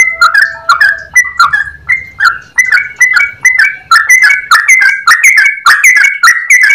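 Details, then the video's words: Yellow-vented bulbul in full, clear ropel song: a steady chain of short, liquid whistled phrases, each starting with a sharp click-like onset, shifting between two pitch levels, with a faint low hum early on. "Trucukan gacor ropel panjang suara jernih"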